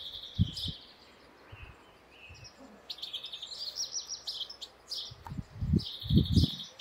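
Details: European goldfinch song of rapid high twitters and trills, repeated in lively phrases, accompanied by loud low thumps and rumbles, mostly near the start and end.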